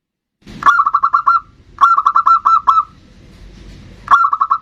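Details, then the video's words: Zebra dove song used as a lure to get other birds singing: three bursts of rapid, evenly spaced mellow cooing notes, each burst opening with a sharp click, with a quiet pause between bursts. "Pancingan perkutut bodronoyo gacor super ampuh untuk pancingan"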